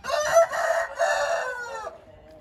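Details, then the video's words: A single Hint rooster crow, loud and hoarse, about two seconds long, with a strong opening note, a brief dip, then a sustained rough tone that fades out. "Hint Horozu diyarı"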